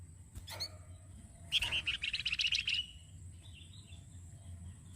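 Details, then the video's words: Flamboyan singing as a training model for other songbirds: a sharp chirp, then a rapid rattling trill of around a dozen notes lasting over a second, followed by faint twittering. "KICAU APIK UNIK DARI BURUNG MASTERAN FLAMBOYAN YANG SERING DI CARI"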